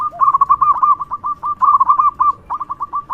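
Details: Local zebra dove giving its loud song, used to draw out other doves; a near-continuous stream of clipped cooing notes, rolling in places, broken by a brief gap before a final quick run.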